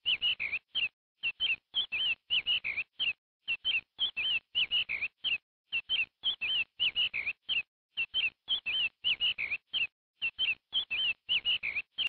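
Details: Steady run of shrill chicken peeps: short, bright, warbling notes repeated in fast clusters of two or three, separated by short pauses, against a completely clean, silent background.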